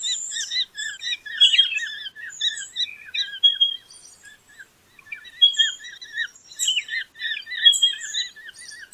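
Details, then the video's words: Pardalote calling: quick bursts of chirpy notes with a wavering, bouncing pitch, repeated in clusters with a brief pause midway, overlapped by higher twittering and chirps from other birds. "BEST PARDALOTE SOUND COMPILATION"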